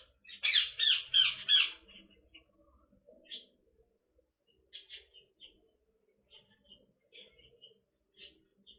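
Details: Pet female Indian ringneck parrot playing with her favourite toy, giving three loud harsh squawks in quick succession, followed by faint scattered clicks and soft chirps.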